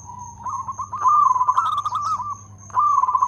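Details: Zebra dove, a local bird, singing actively and loudly: a sustained wavering, rippling coo that swells to a strong pulsed trill, pauses briefly, then resumes, against a steady thin whine and deep hum.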